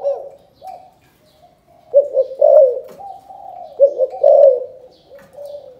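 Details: Spotted dove from Can Tho, Vietnam, giving its calling coo in the 'chụp chụp ô' style: husky, mid-pitched cooing phrases with rising and falling notes, run together in irregular bursts with short pauses.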